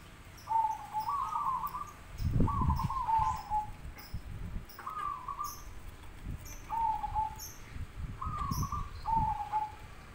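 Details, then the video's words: Zebra doves calling back and forth to one another, giving six rolling, purring coo phrases at a steady mid pitch roughly every one and a half seconds. Low thumping knocks and faint high bird chirps sound in between. "suara perkutut bersautan langsung bikin nyaut burung Perkutut lainya"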